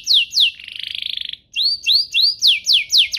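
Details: Canary song meant to prompt other canaries to sing: two loud descending whistles, a rapid buzzy trill, then a series of rising swept notes and sharp descending whistles.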